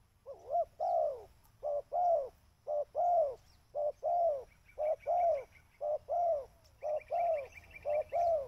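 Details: Spotted dove calls played to lure birds: soft low coos in paired phrases, a short note then a longer arched one, repeated about once a second; a faint higher chirping trill from another bird enters near the end.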